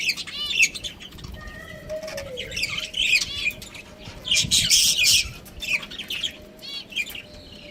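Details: Breeding pair of budgies with rapid, harsh squawky chirps and scratchy warbles in bursts, plus a few short tonal whistles, against steady low background noise.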